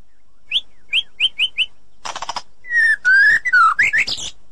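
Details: White-rumped shama in forest, a female calling a male; five short, high, evenly spaced chips, a harsh rasp, then long clear whistles ending in warbled notes.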